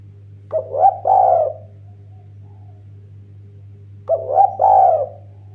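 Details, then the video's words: Eurasian collared dove song used as a lure for other birds: two phrases of mellow, hooting coos, each a short note followed by longer swelling ones, separated by a few seconds of quiet over a steady low hum. "BURUNG DERKUKU TEKUKUR MASTER GACOR-Pancingan terAmpuh paling juara merdunya"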